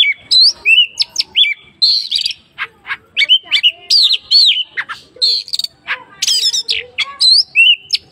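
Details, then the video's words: An Oriental magpie-robin (kacer) sings a rich, non-stop stream of clear whistles, upslurs and rapid chattering trills, high-pitched and constantly varied, with brief pauses between phrases. "kacer gacor gayanya manteb"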